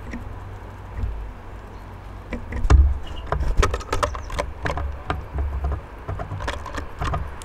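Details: A low, steady rumble of passing traffic with scattered knocks, taps and light clatter close by; no animal voice can be picked out.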